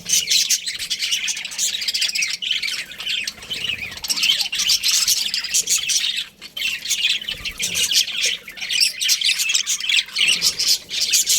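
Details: Breeding pair of budgerigars chirping: a continuous, dense stream of bright, high twittering and scratchy warbled notes with short squawks, barely pausing over the whole stretch.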